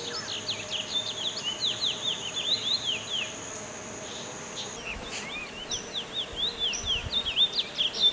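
A chestnut-bellied seed-finch gives rapid, overlapping bursts of short, high chirps and slurred notes, over a steady thin whine and a constant low rumble.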